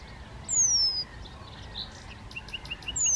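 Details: Fledgling Eurasian penduline tits forage on the pond shore at Zámecký rybník in Chropyně, 3 July 2019. A long, drawn-out, high whistle falls in pitch, followed later by a second one, with faint chirps between.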